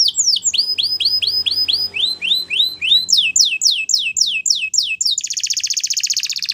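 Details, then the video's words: A Waterslager canary sings for training: looping whistled notes repeated quickly in several pitch blocks, closing with a bright, rapid, rattling trill. "Waterslager Canary training Songs"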